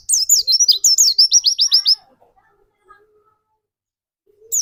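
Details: Pancingan song of a white-eye for triggering fast 'nembak' song in other white-eyes: two seconds of rapid, evenly spaced high falling whistles, then near silence before a new phrase begins.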